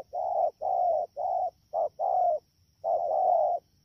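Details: Low mellow cooing from a wild-caught spotted dove during the rainy season at Đak Tô on 3 October 2019, a string of short and long hollow notes, then a pause and a longer two-part coo.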